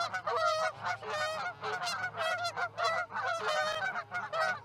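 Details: Wild geese, a flock landing in a field near an osprey roost in Charlo, Montana, at 9:40 in the morning on 1 February 2018: dense overlapping nasal honks from many birds, continuous and loud, over a steady low hum.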